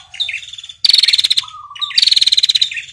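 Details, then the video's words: A female red-headed prinia calls a male with two long, rattling trills of rapid high notes, each about two-thirds of a second and sliding slightly down, with softer chirps between. "prenjak betina ngetirr panjang memanggil prenjak jantan"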